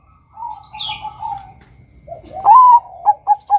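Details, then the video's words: Bangkok zebra dove, a male, calling to draw other males into song. Soft, wavering background coos give way to a loud rising note, then quick short clipped coos. "PANGGILAN SUARA Perkutut BANGKOK Gacor Kutut Bangkok NEGEL MEMIKAT Suara PERKUTUT JANTAN agar BUNYI"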